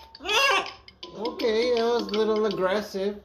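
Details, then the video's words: A pet macaw talking, with raspy, voice-like syllables of rising and falling pitch run together in two quick bursts of mimicked speech, amid its owner's chatter of greetings. "Macaw talks up a storm"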